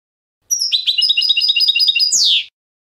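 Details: A canto limpio phrase from a European goldfinch, a clean contest song meant to educate young birds. Evenly repeated bright chirps run for about one and a half seconds, then end in a loud buzzy downward-sweeping note.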